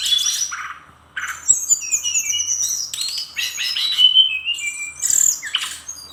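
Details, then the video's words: Brown-chested jungle flycatcher in full song, rapid and rich in filler phrases: a brief pause, then tumbling high chirps, short rising and falling whistles and harsh buzzy notes packed closely together. "Kumpulan Kicauan SRDC Gacor Nratak Nembak Isian BIKIN EMOSI Lawan"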